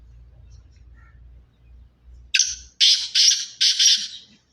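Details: Sindhi-strain black francolin calling a loud rhythmic phrase of five harsh, grating notes, the later ones evenly spaced about every third of a second, after a quiet low rumble.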